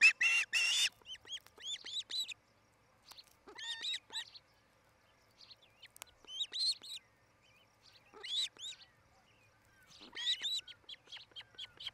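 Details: Osprey pair at a new nest in Charlo, Montana, filmed by nest camera late afternoon, July 8, 2018, during nest building and mating: a harsh loud burst, then scattered bursts of sharp, hooked, whistled chirps repeated in quick groups.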